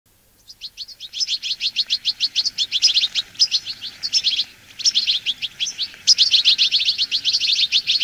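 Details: Bramblings, Fringilla montifringilla, wintering in a flock and eating sunflower seeds; loud, continuous rapid chattering of high chirps in long runs, broken by short pauses.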